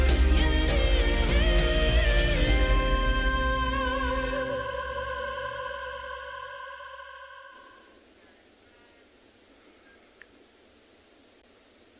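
Sustained operatic singing with music fades out, leaving quiet background hiss.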